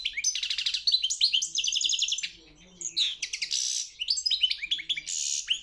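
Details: Competition European goldfinch at a world championship contest, singing bursts of fast tinkling twitters and dry rattling trills, with a short pause in the middle before the lively high phrases resume.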